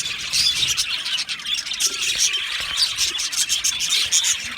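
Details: Budgie colony in an aviary, breeding and mating: high warbled twittering from numerous birds, with little whistled upslurs and chirps rising above the continuous flock babble.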